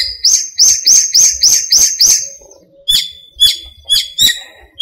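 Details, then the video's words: Dawn song in a small park during breeding season: a steady run of seven rising chirps at about three per second, then a slower series of lower sharp notes. "공원의 새소리"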